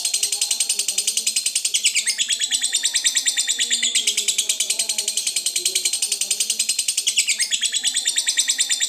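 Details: Provoking lovebird trill, ngekek style: sharp, strident chirps repeated very rapidly in a seamless chatter for nearly nine seconds, pitch briefly dropping and recovering a few times.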